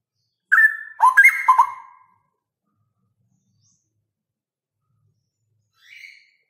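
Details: Male Straw-headed bulbul, loud 'ropel' singing: one bubbling phrase of rich whistles jumping down and up for about a second and a half, then silence and one faint higher note.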